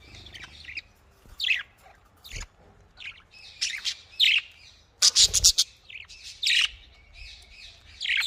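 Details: Budgerigars in a breeding setup trade clear, bright chirps and short warbled phrases. A rapid cluster of sharp, clipped notes comes midway, then more rising twitters with short silent gaps between them.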